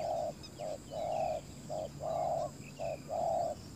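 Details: Decoy spotted dove calling to lure wild doves: steady low coos alternating short and drawn-out notes, roughly one each second, with faint high chirps from other birds behind.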